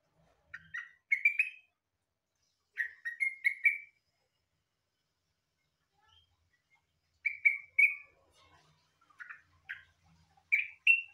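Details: Yellow-vented bulbul song, likened to a cucak ijo: short bursts of bright, chattering whistled phrases, each rising and ending in a clear note, given in clusters separated by pauses of a few seconds, in a quiet setting.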